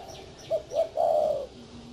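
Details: Spotted dove giving one cooing phrase: two short clipped notes, then a longer sustained mellow coo, over a quiet hiss.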